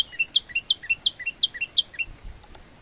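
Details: Olive-backed tailorbird male singing energetically for training other birds: crisp high paired chirps, a sharp top note then lower note, repeated quickly about five times before fading, with faint low background rumble.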